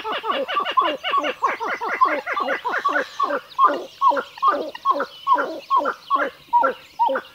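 A Pied-billed Grebe gives a long run of hollow, throaty notes: fast and chattering at first, then slowing to about two loud, gulping cow notes per second.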